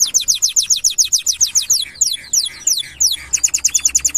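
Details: Canary singing: fast series of bright down-slurred notes, about two per second-fraction, high and sweet, shifting midway to softer rolling syllables, then back to rapid sharp repeated notes; no other sounds.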